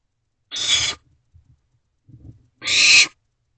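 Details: Young barn owlets inside a nest box at night while eating rodents, 4 June 2023; two harsh hissing screeches, each about half a second long and roughly two seconds apart, with quiet rustling between.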